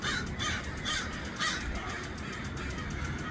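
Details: Many crows calling in Los Angeles: a few harsh, hoarse caws in quick succession over a steady low rumble of background noise.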